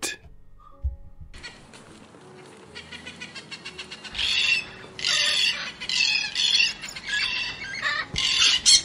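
A parrot gives harsh, grating squawks in loud bursts, repeated roughly every half second.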